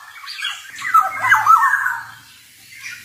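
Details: Male black-naped oriole in lively 'ngalas' form: a single rasping, warbled squawk that twists up and down for about a second, followed by faint trailing notes.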